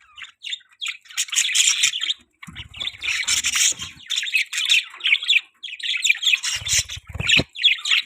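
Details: Budgie chirping in rapid, raspy warbled phrases and squawky bursts, separated by short pauses, with a few low fluttering thumps like wingbeats or movement in between.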